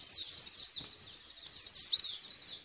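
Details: White-eye song used as a lure to make a bird respond, ngalas and bukpar: very high, fast twittering with sweeping whistled notes, loudest bursts near the start and middle, no other sounds.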